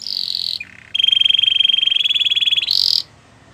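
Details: Canary training song to woo other canaries: a high trill, a short low note, then a long even rolling trill and a bright high burst.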